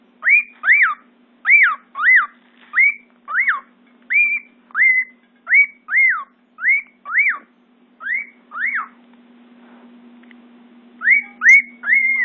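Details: Male cockatiel singing to court a bathing female, whistling a run of clear, arched notes, often in quick pairs, over a steady low hum.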